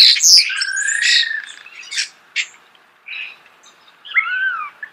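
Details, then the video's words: Starling heard up close giving a loud scratchy burst, then a long level whistle, sharp clicks and a final wavering looped whistle. "The song of the starling"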